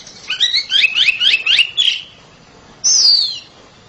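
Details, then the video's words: Loud-singing oriental magpie-robin kept at home: a rapid string of about six chattering warbled notes, a pause, then one long clear whistle sliding downward. "KACER RUMAHAN KICAUNYA NYARING"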